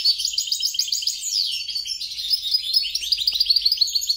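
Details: Song of a hybrid between a European goldfinch and a grey-crowned goldfinch, a mule bird: fast, twittering high-pitched phrases of rapid trills and chirps with a descending slur partway through, delivered continuously.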